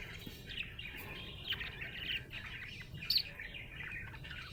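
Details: Happy budgerigar chirping in a steady, busy warble of short scratchy and whistled notes that run together without pause, with a faint low background rumble.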